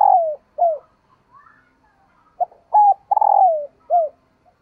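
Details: Female dove calling to stimulate and attract males: a quick string of short, clear, downward-slurring coos, irregularly spaced, with one longer falling coo near the end, in a quiet setting.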